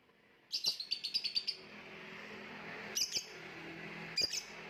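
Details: Lovebird, gantangan macet style, with a quick burst of high twittering notes followed by two isolated sharp chirps over a low background hum.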